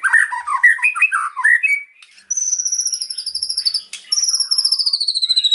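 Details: A white-rumped shama performing cililin imitation. Jumbled warbling notes at mid pitch open the song, followed by two long, high, rapidly pulsed trills that drift slightly lower.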